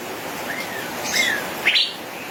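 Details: Male cucak biru (Asian fairy-bluebird) in gacor ropel song: smooth slurred whistles rising and falling, followed by a brief bright burst of chips, over background hiss.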